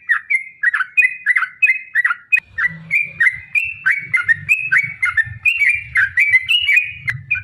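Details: Yellow-vented bulbul pouring out a continuous rapid lure song of liquid whistles, each note sliding down and back up in a steady run, while a low droning rumble joins partway through.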